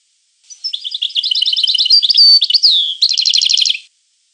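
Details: A long European goldfinch phrase of tinkling twitters and sustained clear whistles, then a sweeping falling note, ending in a rapid, buzzy trill of repeated notes. The background is otherwise silent.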